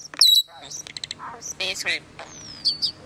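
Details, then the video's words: Common starling's varied song: sharp high squeaks, quick clicks and scratchy notes, ending with a long descending thin whistle. "Longest Starling Song"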